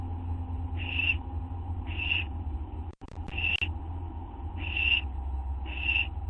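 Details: Nesting owls just past midnight on 6 September 2011, a treat arriving; five faint rasping hisses spaced about a second apart, a couple of sharp clicks midway, and a low steady hum.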